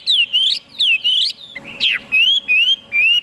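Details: A Chinese hwamei gives loud, pure whistles, some falling then rising in swoops, with a harsher slurred note midway, followed by evenly spaced level whistled phrases.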